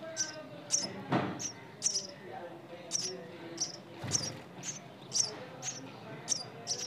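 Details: Nestling birds chirping in short, very high notes, roughly once every half second, with two dull thumps and light rustling in the background.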